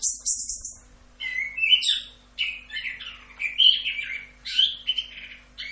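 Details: Chestnut-capped thrush (anis kembang) song in a masteran recording billed as full Rock'n Roll style: clear whistled phrases and buzzy, rising notes, high-pitched, delivered in short bursts separated by brief pauses.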